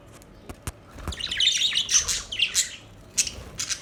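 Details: Budgerigars chirping, a run of short, bright, warbling chirps and squeaks following a few soft clicks, rising and falling in quick irregular bursts.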